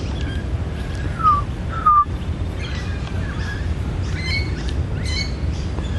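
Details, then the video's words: Adult Australian magpie carolling, its territorial call, in December 2013 during a breeding season with many fledglings: two short, fluty, slightly falling whistles, then richer warbled notes over a low rumble of wind or distant traffic. "Australian Magpie carolling"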